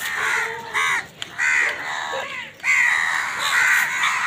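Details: Many crows calling in the morning while fighting with wild birds for food; harsh, nasal caws overlap in quick succession, some drawn out and slightly rising, with a busy background of other bird noise.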